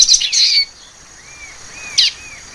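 A Common Waxbill gives high, buzzy chirps in two short bursts, with soft arched whistled notes repeating in between.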